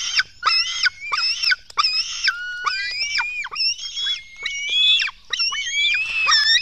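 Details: Black stork young begging during a dawn feeding at a Latvian nest, 24 June 2016: rapid, overlapping squeaky cries, some short and falling, others longer and level, in an uneven stream.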